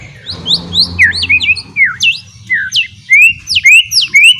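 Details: Murai batu, the white-rumped shama, in a lure song for a chattering bird: clear swooping whistles, high down-slurs and upward sweeps about twice a second, with a faint low hum early on.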